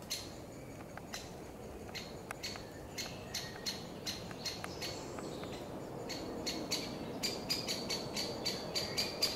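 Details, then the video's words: Great spotted woodpecker pair with young loudly alarming near their nest in a forest to drive off a pine marten sleeping beside it. Sharp, clicking single notes come at irregular intervals, growing denser toward the end, over faint background hiss. "Buurt ruzie Grote Bonte Spechten en Boommarter"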